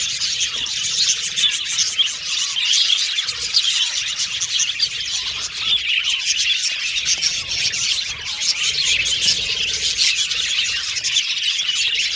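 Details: Pet budgerigars, colorful Australian budgies, in a continuous dense chatter of overlapping high chirps, squawky notes and short whistles from many birds at once, with no pauses, a steady wash of bird voices.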